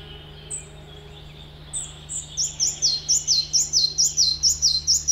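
A red-breasted flycatcher opens with a few thin, high notes, then breaks into a quick, even series of ringing two-part notes, about four per second. A faint low hum underneath.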